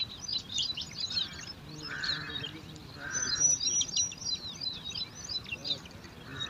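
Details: Nest of bar-winged prinia in alang-alang grass with five chicks squabbling over food: soft, high, twittering chirps from several birds, with a few steady lower tonal notes and a faint background hiss.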